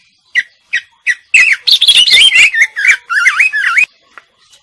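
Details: Female greater green leafbird singing: three short chips, then a dense run of warbled, looping whistled phrases that rise and fall, ending abruptly, followed by faint clicks.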